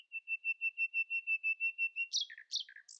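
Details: Common nightingale singing in the early morning, outsinging rivals: a run of about fifteen short, even piping notes on one pitch, then harsh jumbled downward phrases. No other sounds.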